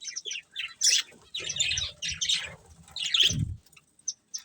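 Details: Colourful budgies eating, with a few loud bursts of scratchy high chatter separated by short gaps, then two brief chirps at the end. Low rumbles underneath.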